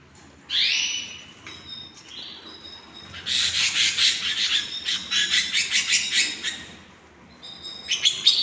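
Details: Hand-tamed pet canaries indoors: a loud rising squeak and faint whistled notes, then a fast rattling burst of rapid repeated chips lasting several seconds, ending with more quick chirps.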